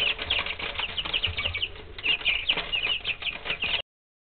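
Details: Several pet chicks aged three weeks chirping nonstop, quick high peeps overlapping in a busy chatter for nearly four seconds before the sound cuts off abruptly.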